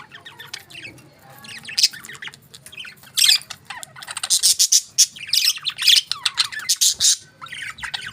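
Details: Pet budgerigars eating their favourite food, giving bursts of harsh squawks and chirps mixed with warbling chatter, loudest and densest in the second half, with short scratchy calls close together.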